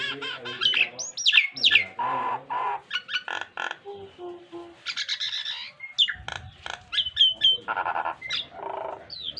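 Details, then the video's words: Nias hill myna, a training model song for pet mynas, full of varied mimicry: rapid mixed whistles, harsh squawks, clicks and buzzy notes in dense bursts, some sharp rising and falling whistles, with faint background noise. "BURUNG JALAK NIAS GACOR FULL ISIAN"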